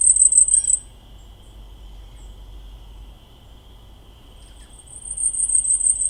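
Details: Blackpoll Warbler song played back during an ornithology lecture as an example of very high-pitched vocalization, in contrast to the spruce grouse: thin, rapid high notes at the start and a rising, louder run of high notes at the end, over a steady hum.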